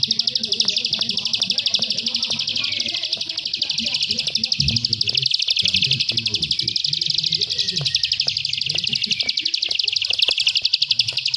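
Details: Bar-winged prinia, locally prenjak sawah, in its klik style. It delivers a long, unbroken run of sharp, high clicking notes, about four per second, while a man talks quietly in the background.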